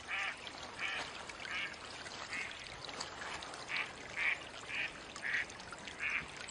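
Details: Wild Mallard calling: a loose, irregular run of roughly ten softer quacks over six seconds, some clustered and some spaced, against a steady rushing background noise.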